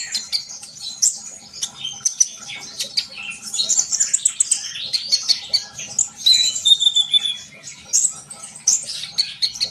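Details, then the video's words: Sunbird in full song, a long stream of rapid high chirps, buzzy trills and piercing whistled notes, busy and unbroken throughout. "kolibri bahan pasti yaut dengar suara konin ini gacor?"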